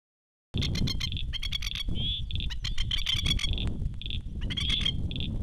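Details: Masked lapwing parents on a dam shore call their chicks, which swim from the nesting island. The calls are loud, strident, high kek notes in quick staccato bursts with a few longer ringing notes, over a steady low wind or water rumble.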